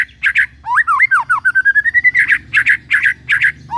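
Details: Loud White-rumped shama song mixing harsh broadband chak notes with a swooping whistled phrase and a long slowly rising whistle, harsh notes resuming afterward.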